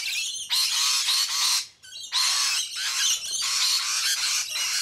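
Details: Rainbow lorikeets feeding on sunflower seeds in Sydney give long, harsh, grating screeches in broad bursts of about a second, separated by short pauses, with several birds calling together.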